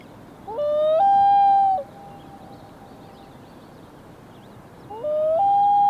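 A common loon wails in long, mournful tones that step upward and hold, echoing away before a second rising wail begins.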